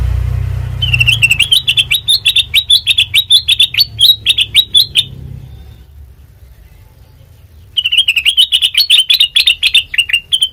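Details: Melodious sooty-headed bulbul singing, recorded as a lure for training birds: long bursts of rapid, chattering high notes repeated several times a second, broken by a few seconds of silence before the chatter resumes; low engine hum at the start.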